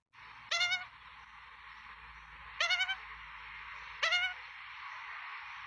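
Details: Australian magpie chicks in a nest at feeding time, Melbourne, 23 September 2022, filmed by a nest camera: three short, harsh, rasping begging bursts about every one and a half seconds over a steady background hiss.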